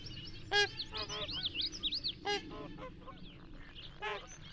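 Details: Trumpeter swans in Minnesota calling in flight after pattering across the water to take off: loud nasal, horn-like honks with rich harmonics, four main blasts spaced irregularly, mixed with softer honks and higher twittering notes.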